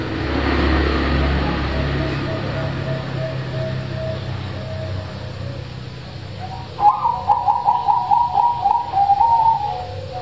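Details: Zebra dove song, loud-voiced and meant to coax silent doves into singing. Low rumbling background noise and faint cooing dominate the start, followed by a strong run of quick, pulsing, mellow coo notes.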